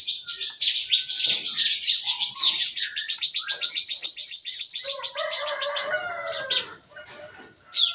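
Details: Aviary-kept bar-winged prinias in the morning deliver their gunfire-like song. A long, even, rapid trill of high notes rises slightly and holds for several seconds. Lower whistled slurs then follow before a brief pause.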